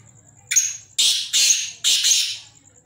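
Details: Black francolins, kala teetar, giving a loud harsh call of one short rasping note followed by four broad grating notes in close succession, over a steady low hum.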